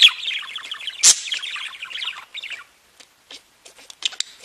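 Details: Budgerigar song from pet birds, a fast bubbling warble of tiny chirps interrupted by one loud rasp, fading after two and a half seconds into scattered faint clicks and ticks.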